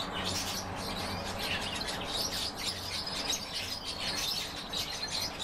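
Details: Group of European bee-eaters giving rapid, slurred chirps that overlap in a dense chattering stream, over a faint low rumble in the background.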